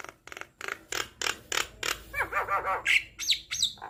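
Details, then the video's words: Javan myna singing in a master recording for prompting captive birds: a run of harsh, rasping bursts about three per second, then bouncing looped whistles and sharp rising squeaks. "Jalak kebo Gacor Full Isian - MAsteran dan Pancingan Burung Jalak"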